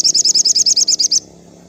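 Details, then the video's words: Crimson sunbird in afternoon song, used to rouse captive birds: a tight burst of about eleven very high, ringing chip notes, evenly spaced and lasting just over a second, then quiet. "suara sogon syahdu sore hari"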